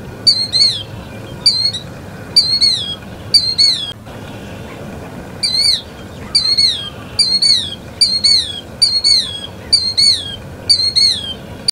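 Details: A killdeer repeats loud, thin, downward-slurring calls roughly every second, pausing for about two seconds partway before resuming the same steady series over light background hiss.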